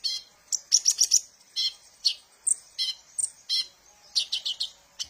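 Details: Sunbird song played as a lure for training birds, made of bright high chirps in tight clusters, with a few quick rising notes and short gaps between bursts.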